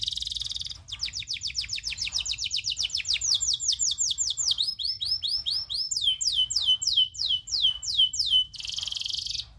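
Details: Local canary singing a long rolling tutor song: fast series of bright descending whistled notes, trilled rolls repeated several times per second, shifting to lower, slower sweeping notes and back to rapid high trills.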